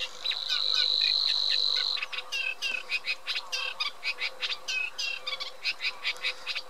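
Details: Eurasian reed warbler song: a steady chatter of repeated grating and clicking notes in quick succession, preceded by almost two seconds of loud steady high whine, with a thin constant tone persisting beneath.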